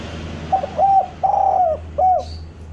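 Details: Spotted dove song, used to lure doves down: four soft, low coos in a phrase. Two short notes lead into a longer drawn-out coo, then a final short coo, over faint steady background hum.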